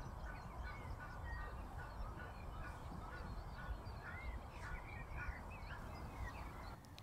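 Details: Geese gathered on a field in a Rhine floodplain on a foggy, freezing morning, with greylag geese, ruddy shelducks and Canada geese named there. Many birds give overlapping nasal honks and short rising calls throughout, over a steady low wind rumble.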